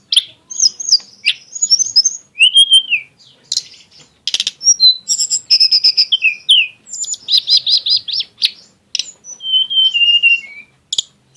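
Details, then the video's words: Tledekan gunung singing a varied, exotic-style song with sharp 'tembakan' shots: high whistled notes, downslurred phrases and rapid repeated chirp bursts, separated by brief pauses, on a quiet background. "kicau tledekan gunung yg punya gaya exsotis dan tembakan yg mewah"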